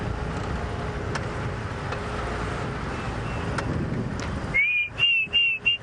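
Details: Diederik cuckoo giving a few clear, rising whistled notes in quick succession near the end, after several seconds of vehicle engine rumble, heard from a safari vehicle at sunset among marula trees; the bird was called but not located.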